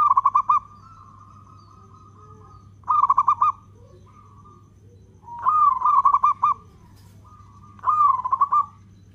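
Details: Zebra dove, local type, delivering long-beat song to provoke other doves: four stuttering coo phrases roughly every two and a half seconds, each answered by a faint, drawn-out coo from another dove; constant low hum.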